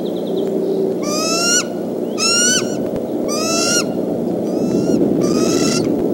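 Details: Bald eagle parents at their Decorah nest, 17 April 2014, early afternoon, sounding the alarm at an intruder tentatively identified as a fox squirrel: five high, squeaky, piping calls, each rising then dropping, about one per second, over a steady rushing of wind.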